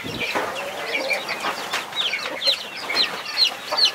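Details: Mother hen guarding her 21 chicks: the chicks give sharp, high, descending cheeps in a steady run, over a low murmur of clucks and scuffling.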